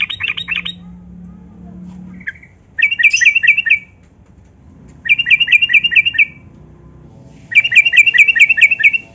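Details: Yellow-vented bulbul, a gacor singer used to prompt reluctant captive bulbuls to sing, gives three bursts of fast, bright trilled notes about a second long, preceded by a brief scratchy rattle; a faint low hum lies underneath.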